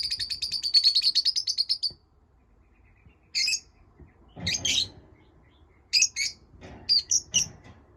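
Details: Pet lovebirds chirping: a rapid high trill of about two seconds, then a pause and scattered short, sharp chirps.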